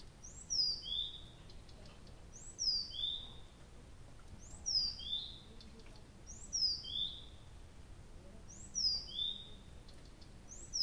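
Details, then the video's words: In the Abramtsevo night in early June 2021, a nightingale repeats a paired phrase: two high whistles dropping in pitch, one after the other, about every two seconds, over very faint background noise. "Соловей поёт всю ночь"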